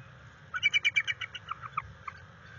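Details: One descending bald eagle chitter from the mated pair at the NCTC nest, 21 February 2022, live nest camera, during mating and territory tracking: a quick run of about a dozen squealing notes that drop in pitch and slow toward the end.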